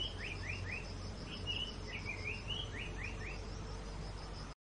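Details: Japanese paradise flycatcher song, rendered as "tsuki, hi, hoshi, hoi hoi hoi" (moon, sun, stars): three quick rising whistled notes, a warbled middle phrase, then three more rising 'hoi' notes, over a steady insect drone.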